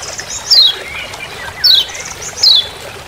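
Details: Lemon-bellied white-eye (Lombok yellow white-eye) giving "ciak ciak" calls in forest, used as a master sound for training: three sharp descending high chirps about one second apart over a soft hiss.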